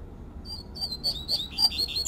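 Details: Wild double-collared seedeater giving its fluted 'tui tui' song: a quick run of pure, high whistles that strengthen and become more warbled, with a few rapid, slurred notes at the close.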